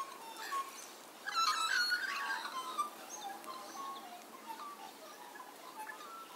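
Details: A gathering of magpies singing together in a back yard next door on a summer morning: a loud burst of tumbling, warbled fluty phrases in the middle, then softer scattered notes, with other small birds chirping in the background.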